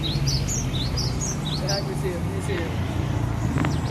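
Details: Cinereous tit from Aceh, kept at home, singing in the gantang style: a series of short rising high notes, roughly four per second, then fainter lower notes, over steady low background hum and traffic-like noise.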